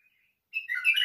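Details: Faint soft note, then a white-eared bulbul bursts into a loud, liquid warble of quick descending and rising notes.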